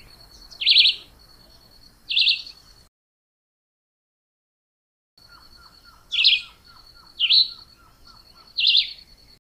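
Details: Chivi vireo repeating short, buzzy warbled phrases at intervals of one to two seconds. A steady high whine persists, and a rapid series of soft lower clicks is heard during the second half.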